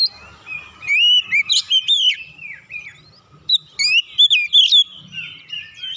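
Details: Oriental magpie-robin singing excitedly as a lure to provoke other birds into song, pouring out its repertoire of fill-in phrases: varied slurred whistles rising and falling, mixed with short buzzy bursts and brief pauses, over a faint low hum.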